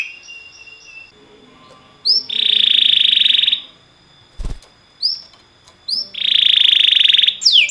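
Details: Training song of a canary: two loud sustained buzzy rolls separated by quiet pauses, with short upslurred whistles before each roll and a single sharp click between them.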